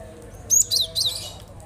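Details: Cinereous tit song played to prompt other birds that are reluctant to sing: a thin, very high whistle followed by two quick, bright, twittering phrases, all fairly faint against a quiet background.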